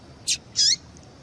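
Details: Two quick high calls from a female yellow-bellied seedeater, used to provoke a male to sing: a clipped chip, then a slightly longer wavering note sliding downward.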